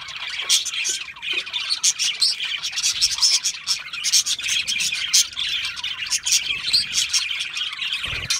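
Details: A group of budgerigars chirps and warbles steadily, with fast sharp tweets standing out over the continuous chatter.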